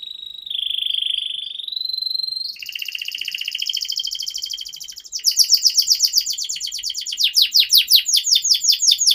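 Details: Canary masteran song to get young canaries singing: a long pure sustained whistle, then a buzzing rolled trill, shifting into rapid repeated sharp chips to the end.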